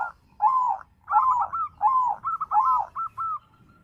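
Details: White zebra dove, a perkutut kept to stimulate other doves to sing, giving deep, arched cooing notes in a steady rhythm, about four phrases each followed by short clipped notes, with a quiet background.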